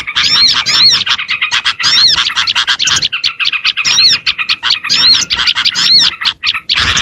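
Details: Oriental white-eye chatter played to lure other small birds: a steady stream of shrill twitters, looping whistled slurs and buzzy trills, several birds seeming to overlap, with brief dips in loudness between phrases.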